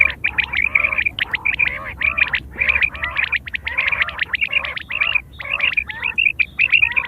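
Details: Quail sound from September 2023, a call used for hunting and mating. Continuous run of quick nasal, stacked notes with piercing high pips, repeated in rapid groups, several callers overlapping, steady low background hum.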